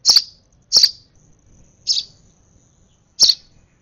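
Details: Excited sparrow nestling being hand-fed utters four bright, high chirps within four seconds. The first two come close together and the others are more spaced.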